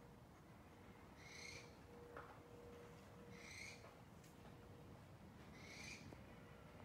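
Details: Owl calling at night in San Diego: three short, harsh, screechy notes spaced about two and a half seconds apart, faint against a steady low hum.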